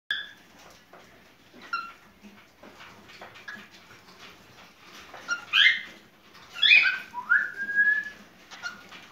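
A cockatiel in breeding condition gives bright whistled courtship notes and rising, slurred whistles.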